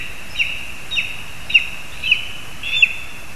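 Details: Lesser spotted eagle in a spruce in Zemgale, Latvia, where a frog is brought for the young bird; five soft, high, short yelps spaced roughly half a second apart against a hissy background.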